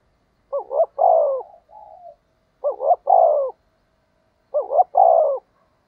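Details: Spotted dove cooing to lure wild doves. Three phrases about every two seconds, each a wobbling double note then a drawn-out descending hoot. The first phrase trails into a soft, flat extra note.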